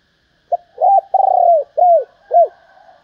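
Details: Female spotted dove calling to stimulate males: a loose series of five low, hollow coos, some short and arched, one longer with a pulsing start, each falling at the end, over a quiet background.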